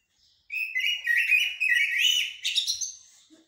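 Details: Common blackbird, or jahmumiya, giving a continuous three-second phrase in the haddadia or military song style: sliding, warbled whistles that climb toward the end, clean with no other sounds.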